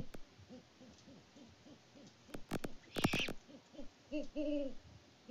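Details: Great horned owl pair hooting at a farm in Peabody, Kansas, in February: a rapid series of soft, low hoots, then a burst of clicking and rustle, then a few louder drawn-out hoots at the end.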